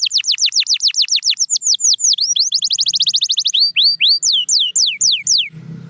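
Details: Canary song: a quick series of clear whistled notes, each sweeping steeply downward, and a fast buzzy trill in the middle. Slower, wider descending sweeps follow, with a quiet low rumble at the end.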